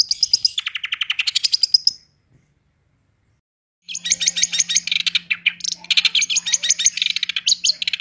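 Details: Long-tailed shrike delivering a fast 'roll tembak' song: two seconds of rapid high rolling notes, a pause of nearly two seconds, then dense chattering bursts and scratchy trills over a faint low hum.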